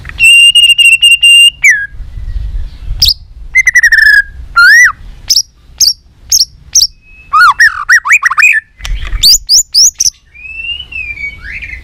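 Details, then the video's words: White-rumped shama in competition fighting song, a three-season bird: a long buzzy steady trill opens, followed by clicks, arched whistles, rapid rising notes and a final drawn-out slurred whistle. "chòe lửa nết đập xoay chớm lửa hót đấu"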